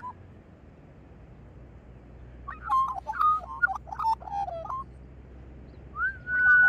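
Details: After a quiet start, a magpie pours out a jumbled run of short warbled and fluted notes, then a loud, clear rising whistle held at the close, with a faint low hum beneath.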